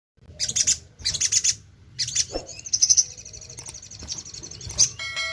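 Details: Little spiderhunter (sogon), a gacor singer used as a lure to get other sogon birds to sing. Very high, sharp, rapid chirping bursts come in short clusters, then a thin, steady, buzzy trill near the end.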